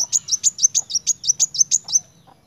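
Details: Kolibri wulung sunbird in lively 'narung' song. Quick, evenly spaced, very high metallic chips run for two seconds, then fade into a few soft notes over a faint low hum.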